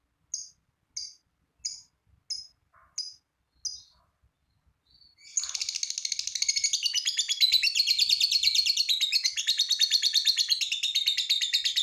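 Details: Lovebird giving a long trill to prompt other lovebirds to sing: six evenly spaced sharp chirps, a pause, then a dense, fast, buzzy chattering trill running on for over six seconds.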